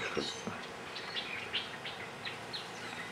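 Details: Grey-eyed bulbul (Iole propinqua) on Ko Lanta, Thailand, calling: short, high, slightly slurred notes, roughly two per second, over a low murmur of people talking.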